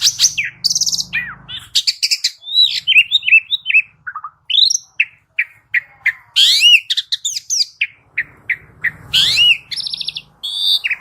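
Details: Asian pied starling (jalak uren) in a training recording used to prompt caged birds to sing. Loud, varied song of sharp rising and falling whistles, upward-sweeping notes and buzzy chatter in quick succession, with a faint low hum in places.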